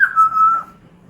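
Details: Pet African grey parrot whistling on request: one clean, steady whistle lasting about half a second, starting slightly higher and settling lower before fading out.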